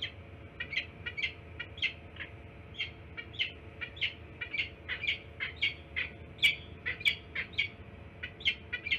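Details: Peregrine falcons in Pennsylvania, February 12th around midday, with tension in the area: a long series of harsh, rasping calls given roughly every half second, steady and insistent, over a low constant hum.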